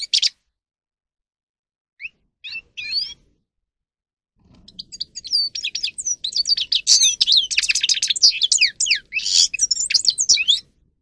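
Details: Grey-crowned goldfinch, singing for a training recording that motivates goldfinches. A few scattered bright notes and short twitters come first, then about six seconds of loud, continuous, fast jangling song full of buzzy trills and slurred whistles.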